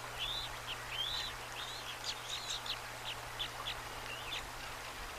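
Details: Bald eagle nestling at the nest, March 25, 2024, taking small bites of trout from an adult; two young eaglets present. Series of thin, rising-then-falling squeaky peeps, about two per second, over low steady hum.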